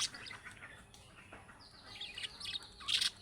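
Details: Budgerigar calling, the chick-style calls said to make other budgerigars reply: scratchy high chirps and short warbles, a thin whistled note in the middle, ending in a louder bright burst.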